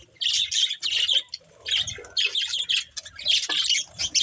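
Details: Budgerigars chirping while playing: clustered bursts of squeaky, warbling chirps about every half second, separated by brief quieter gaps, with soft low thuds underneath.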